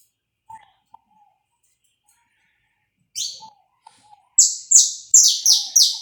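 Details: Saffron finch singing live, recorded without cuts as a warm-up for other saffron finches: a few faint low whistles and a doubled buzzy note, then five loud, shrill, falling notes in quick succession.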